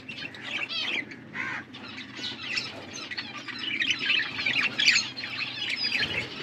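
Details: Budgerigars, blue birds feeding one another, give continuous raspy chatter and squawky chirps, growing busier and louder toward the end.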